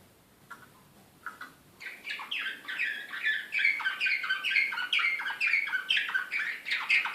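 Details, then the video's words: Serbian Slavujar canary recorded in Belgrade in 2016, described as excited. A few soft notes come first, then a loud, high, fast trilling song with regularly repeated sweeping syllables, more than two a second. "SLAVUJAR SRPSKI BEOGRAD 2016"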